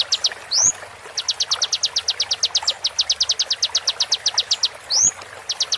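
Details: Training recording of a konin for songbird tutoring, slowed, with water therapy: long trains of crisp high staccato notes, evenly spaced, interrupted twice by a short rising whistled sweep.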